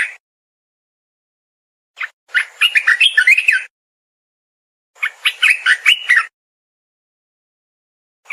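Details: Streaked bulbul singing in two bursts a few seconds apart, each a rapid chain of chattering, warbling notes rising and falling, with silence between the phrases.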